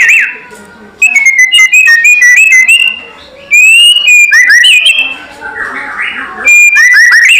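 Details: White-rumped shama giving its loud kretekan lure call, meant to provoke rival birds: clear whistled notes with harmonics, sliding and wavering, broken by sharp crackling clicks in fast bursts, with short quiet gaps between phrases.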